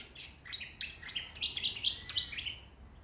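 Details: Backyard songbirds in Ballajura, Western Australia, giving a lively run of sharp, high chirps and clipped whistles, several notes per second, with overlapping voices suggesting more than one bird.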